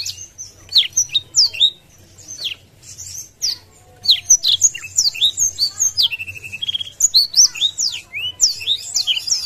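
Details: Black-throated Canary singing with wings spread, said to provoke rivals, giving a fast, continuous stream of high, sweet whistles and slurred chirps with brief level trills, against a faint low hum.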